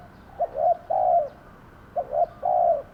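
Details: Lure spotted dove at a trapping enclosure giving two mellow phrases: a short clipped note, a rounded coo, then a long drawn-out coo, repeated once after a brief pause.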